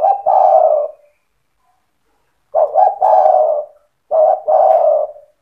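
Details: Vigorous cetretan song from a Spotted dove intended to trigger other doves: three close phrases, each with clipped introductory notes leading into a long, smooth, low coo that fades away.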